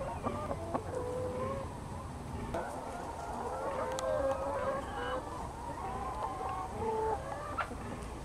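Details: Young free-range chickens on a farm in the Lower Rhine region, Germany. Soft, overlapping clucks and short wavering calls come from a flock against a steady background hiss, with a few faint clicks.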